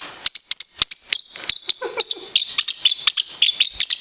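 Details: Nine-week-old parrotlet kept as a pet, spazzing out while chasing another bird: quick, piercing high chips in an uneven rapid string, with one lower scratchy squawk in the middle.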